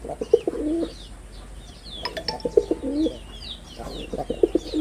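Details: A performing male red-bordered wild pigeon utters three short, low, bubbling coo phrases, each ending in a drawn-out moan, with small birds chirping and a brief knock in the background.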